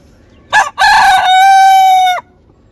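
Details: Rooster in South Korea giving a loud crow: two short rough opening notes, then a long, steady, harmonic-rich drawn-out note of over a second, ending abruptly; quiet background.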